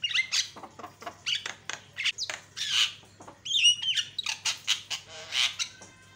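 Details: Lure song of a Javan myna, meant to make other mynas agitated: a long, varied stream of harsh, grating squawks mixed with whistled and squeaky notes in quick irregular bursts. A low background hum is audible throughout.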